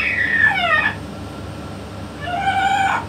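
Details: Talking yellow-naped amazon kept by a parrot expert gives two rich, speech-like harmonic utterances, the first falling in pitch, the second level then dropping, separated by a pause over faint room hum.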